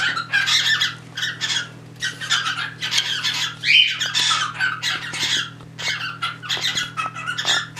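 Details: Indoor pet cockatiels, a mating pair and an extra bird trying to join in; continuous run of harsh, scratchy squawks in rapid uneven bursts, one short rising whistle-like note near the middle, constant low hum behind.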